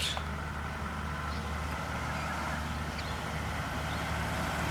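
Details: Steady vehicle engine rumble fills the recording, a low idling drone with broadband road noise and no animal voice standing out.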